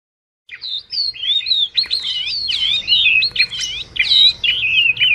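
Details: Wagtail chirping to call its flock, a recording used as a trap lure: after half a second of silence, a fast run of bright, warbling, up-and-down whistles and twitters that continues without pause to the end.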